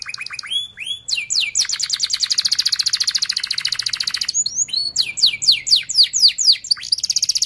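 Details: Canary singing a fast 'ngerol' rolling song meant as a lure for young canaries learning to sing: quick high downward-swept notes lead into a long dense rapid trill, then a varied run of swept whistles and another buzzing trill.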